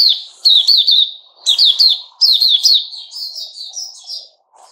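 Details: Caged sooty-headed bulbul, 10 July 2021, giving clusters of sharp high chirps roughly once a second, easing into softer trailing twitters, with faint low background noise.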